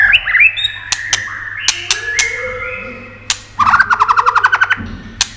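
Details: White-rumped shama singing to stir up other shamas. Sliding whistles and a few scattered clicks lead into a quick run of about fifteen buzzy, evenly spaced trill notes.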